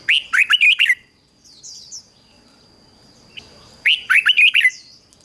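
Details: Red-whiskered bulbul decoy song used to lure wild birds and prompt singing: two loud bursts of rapid, warbled whistled notes about three seconds apart, with faint high chirps and a steady thin tone between.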